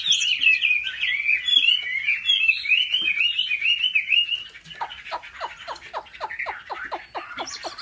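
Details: Chinese hwamei trained at home, singing competitively: loud varied whistled warble for four seconds, then a quieter rapid train of sharp down-swept notes.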